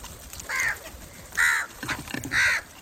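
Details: Crow sounds meant to attract crows: three strong, raspy caws in quick succession, almost one per second, with some soft clicking and rustling between them.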